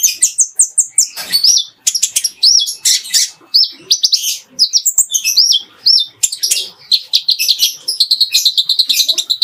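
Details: Van Hasselt's sunbird (kolibri ninja) master song recorded clean for training other birds, filled with fighting-sparrow phrases: rapid, high, sharp chirps and short upslurred whistles tumbling in dense bursts with brief pauses, no other clear sounds.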